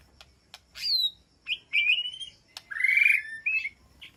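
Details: White-rumped shama calling to its flock inside an aviary: clear whistled phrases, a falling high slur, a wavering whistle and a rich buzzy note, separated by sharp clicks.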